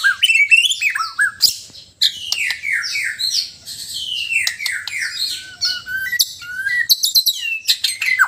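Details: White-rumped shama from Sabah, Borneo, giving a loud, varied song of rich whistled phrases, slurred notes and sharp chirps, falling and rising in quick succession with a brief pause near two seconds; no other sounds stand out.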